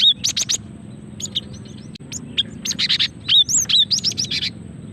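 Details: Calls of a female cinereous tit meant to lure and provoke singing: quick runs of rasping buzzy notes alternating with sharp high whistled slurs, fairly dense and irregular, over a low background hum.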